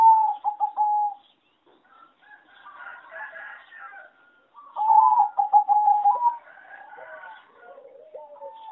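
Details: Farm-bred competition zebra dove with song judged poor in melody; a short staccato cooing phrase opens, then after a pause filled by other birds' chirps a longer run of fast pulsed coos follows.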